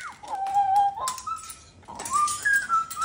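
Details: Pet cockatoo at home in the evening around sunset: a few clear whistled notes, one falling into a held level tone, then a brighter tone that steps upward and holds, with faint room noise.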